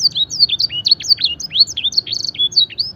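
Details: High, dense canary song packed with imitated blackthroat and edel sanger phrasing, heard as a quick chain of looping whistles and zigzag slurs with almost no pauses.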